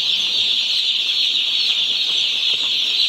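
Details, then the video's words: Dense chorus of 1-day-old chicks from a poultry farm, thin, high, overlapping chirps forming a steady shrill band. "Hear the Chirps of 1-Day-Old Chickens From Our Poultry Farm!"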